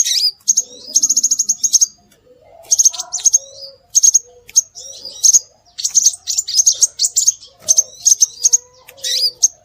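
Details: Scarlet minivet calls played as a lure to draw birds in: bursts of rapid, high, thin chirps, some in fast trills of about ten notes, with sweeping whistled notes between short pauses. A faint lower warble sits underneath.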